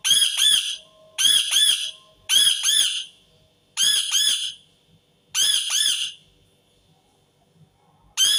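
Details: Repeated screaming from an Indian ringneck parakeet, delivered as double-note harsh bursts, five of them spaced roughly every second and a half, with a sixth starting at the end.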